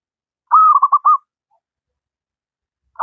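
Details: One clean zebra dove phrase, an even coo splitting into rapid rolling pulses, and the start of another at the end; a keen local wild singer used to teach lazy doves.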